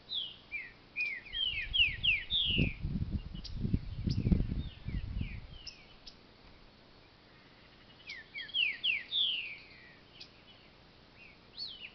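A Green-winged Saltator sings two bursts of quick, bright whistled slurs that swoop down and up, with a low rumble of background noise under the first phrase.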